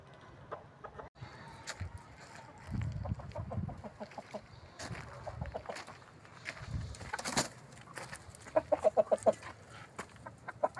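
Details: Desi hens clucking in a run of short, quick, repeated notes, growing denser and louder near the end, with scattered other bird calls and background noise.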